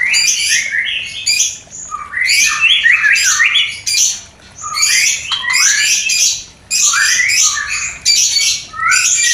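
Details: White-rumped shama mating sound to raise breeding urge in new pairs; loud, harsh, scratchy bursts mixed with whistled slurs, delivered in dense phrases separated by brief pauses.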